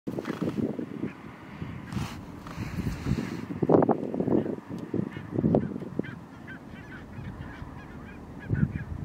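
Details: Thousands of barnacle geese (Branta leucopsis) in Nationaal Park Nieuw Land, Flevoland, the Netherlands, keep up a dense chorus of short, yapping honks, overlapping continuously and swelling in louder bursts every second or two.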